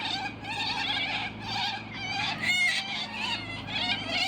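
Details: A flock of wild white cockatoos in a tree at a park on a sunny winter day gives harsh, raspy, buzzing screeches that overlap almost without a break, one bird's cry running into the next.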